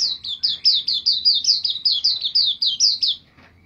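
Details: Rapid, even series of shrill downslurred chirps from a white-eye, recorded as training material for songbirds, running about three seconds before stopping abruptly, with faint low rumble beneath.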